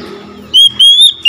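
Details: An oriental magpie-robin answers another magpie-robin with a sustained, pure whistle that rises slightly, followed by the start of another note. Faint low noise precedes it.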